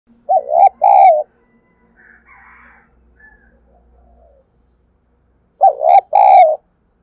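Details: Spotted dove used as a decoy bird to provoke other doves into cooing: a loud two-part coo phrase, the first part quick and the second part longer and wavering. The phrase returns about five seconds later, with faint soft murmurs in between.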